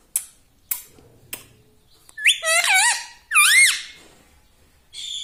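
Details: Talking pet green ring-necked parrot indoors: a few sharp clicks, then squeaky speech-like syllables with wavering, swooping tones, and a final softer note.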